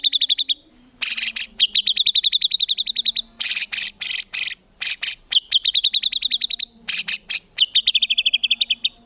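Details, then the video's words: White-rumped shama in full rapid-fire song for songbird training: long fast trills of high chipping notes alternate with harsh rasping buzz bursts, with a faint low hum underneath. "MURAI BATU GACOR FULL ISIAN TEMBAKAN MEWAH GAK ADA NGUKLUK NYA"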